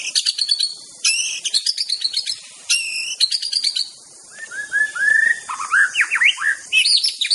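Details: Aceh-type white-rumped shama delivering rich master song: dense chattering bursts with stacked harsh notes, a long clear whistle, then rapid looping whistled notes rising and falling.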